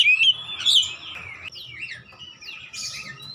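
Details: Oriental magpie-robin song used as therapy to get a quiet bird singing, with loud opening whistled phrases that fade into softer sliding, up-and-down whistles and a faint steady hum.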